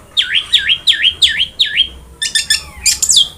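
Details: Long-tailed shrike (cendet) singing as a masteran to prompt a silent cendet. Five looping, swooping whistled notes repeat rapidly, followed by a busier burst of sharp, high chattering notes.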